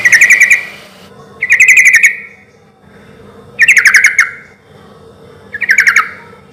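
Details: Sooty-headed bulbul giving loud song in a relaxed rhythm, used as a lure so other bulbuls answer fast: four short bubbly, rolling phrases repeated roughly every one and a half seconds.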